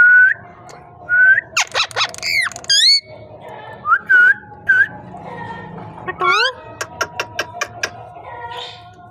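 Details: Talking parrot indoors mixing short rising whistles, rough squawking bursts, clicks and a rapid string of sharp ticking notes over a faint background hum.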